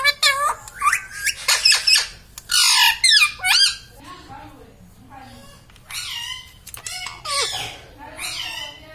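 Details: Pet green ringneck parrot talking indoors, taught to say mummy and papa: rapid harsh squawked syllables with swooping pitch, bursts clustered in the first three seconds and again after six seconds, quiet gap between.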